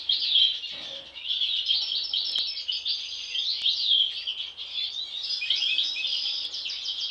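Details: Brothers and sisters of a European goldfinch family, two showing an anomalous mask since hatching. Fast, jangling twitters and tinkling phrases flow continuously, rising and falling in intensity.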